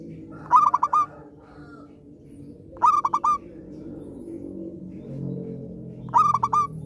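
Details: A zebra dove singing diligently, played to encourage silent doves to sing again; three rapid, bubbling coo phrases spaced roughly two to three seconds apart over a low background hum.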